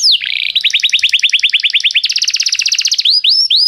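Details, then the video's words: Canary song for song training: a falling whistle, then a steady fast trill of repeated notes that shifts to a higher, faster tour, and ends with a few looping slurred whistles. "professor para o seu canto canário em breve - o melhor treinamento canário"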